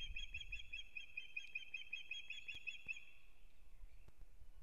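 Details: Osprey at its nest in Kurzeme, Latvia, at the season's start, 9 April 2022: a three-second chain of quick, clear whistled chirps trailing off into a thin note, with scattered clicks and light wind.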